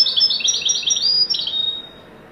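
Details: European goldfinch song in the widani style: a fast run of bright, tinkling twittered notes and short trills, closing on a thin sustained note before fading into quiet room hiss.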